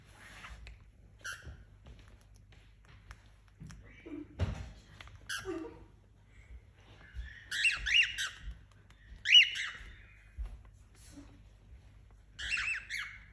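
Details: Young pet male cockatiel, about four months old and tame, in a small room with a new female companion, giving scattered quiet chirps and a few harsh, scratchy squawks between long silences.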